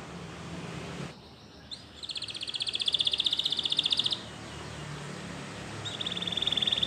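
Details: Belgian canary giving a buzzy, fast-pulsed high trill lasting about two seconds, then a brief similar roll, over background hiss.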